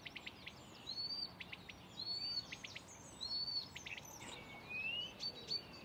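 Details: At Far Ings Nature Reserve, UK, 11 June 2020, a Blyth's reed warbler mimics other species. Clusters of dry clicks are punctuated by clear ringing whistles, repeated at an irregular pace about once a second.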